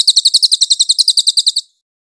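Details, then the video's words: Cililin master song, clear-voiced, used for training magpie-robins: a fast run of high, sharp chirps, about eight per second, steady for under two seconds, then silence. "Masteran cililin Suara jernih cocok buat muray"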